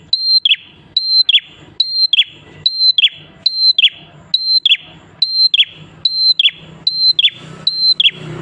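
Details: Prinia known as prenjak klawu, singing tirelessly as a lure for other prinias: ten cycles of a sustained high whistle and a sharp descending note, regularly spaced, with a low electrical-sounding hum throughout.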